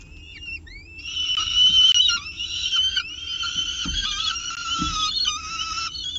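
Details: Peregrine falcon with pigeon prey at its nest, Orange, 24 October 2018, early morning; a few rising whistles lead into a loud, continuous, wavering wail with rich harmonics.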